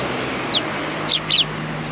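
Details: Sparrows arriving for food on the front approach of a Tenmangu shrine, 29 May 2020: one thin descending chirp, then a pair of louder, clipped chirps close together, above a steady low hum.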